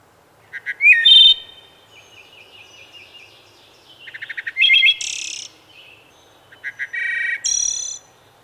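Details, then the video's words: Wood thrush singing in three spaced phrases, each opening with a few soft low notes, then a flutelike whistle and a bright ringing trill; quiet gaps of about two seconds between phrases. "Wood Thrush Bird Singing"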